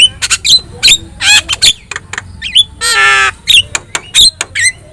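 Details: Javan myna with yellow eyes in loud chatter: clicks and short whistles broken by a long harsh nasal rasp, then more snappy whistled notes.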